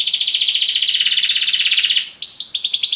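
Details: Belgian canary song: a long rapid buzzy trill held near the top of the range, then breaking into quick rising-and-falling whistled notes repeated several times per second.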